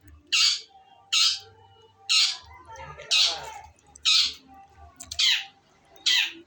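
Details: Female long-tailed shrike uttering loud, grating squawks roughly once per second, each short and broad, with a steady rhythm across the passage and faint low background hum.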